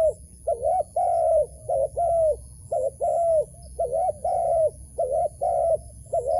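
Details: Persistent cooing from a wild dove being lured to a trap, a dense run of about a dozen short doubled and longer droning notes with scarcely any gaps.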